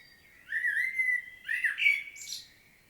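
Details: Common blackbird singing in Świnoujście, Poland, on 25 September 2022; two mellow, fluted warbling phrases, the second ending in a high, scratchy twitter, over quiet background.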